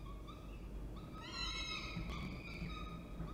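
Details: Falcons at Orange, NSW, on 19 October 2024 as the male arrives with food and the female feeds. Short nasal wailing calls rise then level off, with a longer call near the middle over steady low background rumble.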